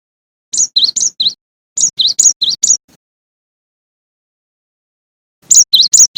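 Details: Cinereous tit (gelatik batu) singing clear, high whistled two-note phrases, a higher note dropping to a lower one, repeated in three quick bursts of four to six notes separated by silent pauses.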